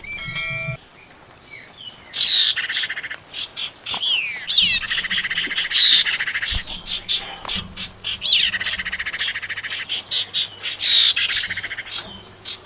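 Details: Female common iora calling to a male, a lure recording: a series of sharp rising whistled notes, each followed by a dense buzzy chatter, repeated roughly every two to three seconds, with some low background rumble.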